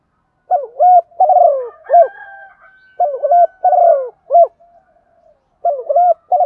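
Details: Female spotted dove cooing to attract a male: soft, mellow coos in short phrases of two or three notes, repeated after brief pauses.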